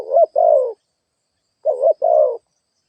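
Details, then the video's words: Cooing spotted dove used as a lure for wild doves: two soft, burry phrases, each a brief note followed by a longer wavering coo, in a quiet setting. "Tiếng chim cu gáy kích boi"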